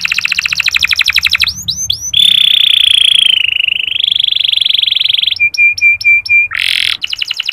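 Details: Canary ngeriwik song used to get male canaries singing: a quick buzzy trill, a few sharp chirps, then a long sustained loud whistled tone, short pulsed notes and another dense trill, with a faint low hum beneath.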